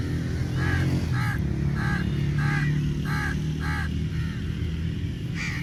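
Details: Crows gathered in numbers, fighting for meat; about seven short, harsh caws spaced roughly half a second apart, set against a loud, droning low background rumble.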